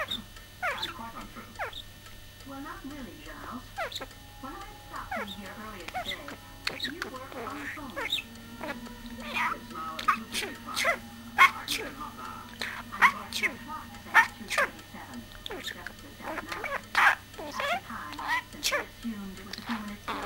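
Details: Pet male budgerigar chattering in a rapid, scratchy warble, slipping in mimicked meows, 'woof woof' barks and a sneeze. He also says 'pardon' after burping.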